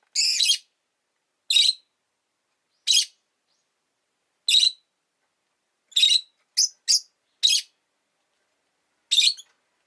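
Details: Two pet rosy-faced lovebirds huddled together at an entrance, giving harsh, buzzy high chirps in short bursts roughly every one to two seconds, with a quick double note near the middle; otherwise quiet.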